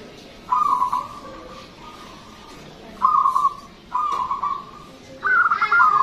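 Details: Local Zebra dove singing loudly with long phrases, a lure recording: four bursts of rapid, trilled coos with quiet pauses between, the last phrase slightly higher pitched.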